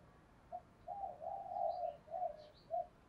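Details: Spotted dove decoy, calling to draw wild doves: soft, fairly distant low cooing notes run together over steady background hiss, with faint higher chirps from another bird.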